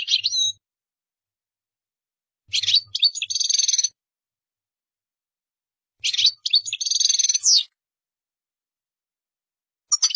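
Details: European goldfinch song in spaced phrases, each opening with a few clipped twitters then a longer rasping, tinkling run, repeated about every three to four seconds over a faint low hum.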